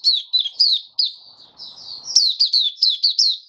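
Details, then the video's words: White-eye, a kept songbird recorded 23 March 2022 while fed for warm humid conditions, gives bright, high, slurred twitters in fast bursts, a short quieter stretch, then sharper squeaky notes in quick succession. "Mata Puteh Kitaro Video 1 buka sing"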